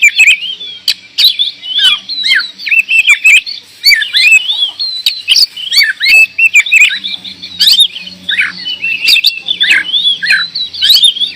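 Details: Kacer, the oriental magpie-robin, in full song: a fast, continuous run of varied whistles, trills and sharp chips, rich and busy, with a faint low hum underneath in places.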